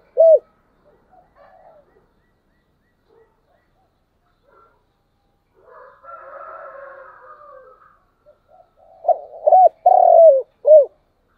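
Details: Spotted dove morning call used as a lure for wild doves: a single short coo at the start, a long stretch of faint murmuring noise, then one full phrase of stuttered coos, a drawn-out croo and a final coo.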